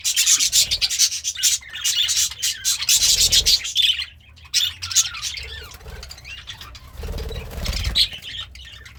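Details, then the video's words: Cheerful pet budgerigar chirping and singing over its greens: bursts of scratchy, squeaky warble and sharp chirps, interrupted by a short pause and some soft rustling or wing movement. "The Sounds of a Happy Budgie - Chirping, Singing, and Eating Greens"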